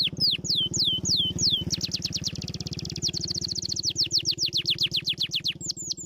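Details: A canary sings, used to encourage lazy canaries to sing: several descending whistles, then long rapid trills and a buzzy rolling passage, returning to quick slurred notes; low hum beneath.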